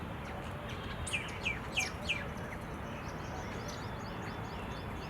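Indian silverbill giving four short, high chipping notes about a third of a second apart, over steady background noise and faint twittering from other birds.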